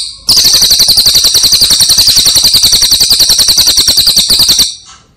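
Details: Cililin songbird, brown type, used as a master recording for training birds: a continuous high-pitched rolling trill, rapid buzzy pulses at steady speed, starting and stopping abruptly within five seconds.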